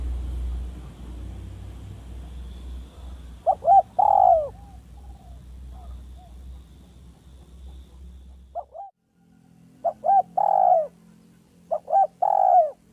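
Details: Spotted dove in a village setting giving a smooth, clear lure call. Low, mellow coo phrases, two short notes then a longer drawn-out note, repeat three times after a few seconds of low rumbling background noise.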